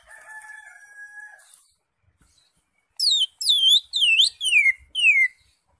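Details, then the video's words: Singing caged green leafbird, recorded to prompt other captive birds: a long steady nasal tone, a short silence, then five loud, rich whistles that swoop downward and up again, evenly spaced. "cucak ijo gacor"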